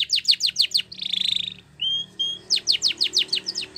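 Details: Canary of the Spanish Timbrado type singing a training song: quick falling notes, a buzzing trill, two drawn-out flat whistles, then another run of sharp descending strokes.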